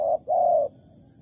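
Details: Spotted dove at a bare-bait trap in Malaysia, 11 August 2020. One coo couplet sounds: a short note, a pause, then a longer level coo, followed by quiet with faint hum.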